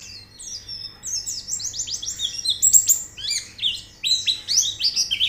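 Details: Training song of a white-eye meant to get a bird singing: continuous high twittering, rapid descending and rising chirps strung in quick series, growing louder toward the end over a faint background hum.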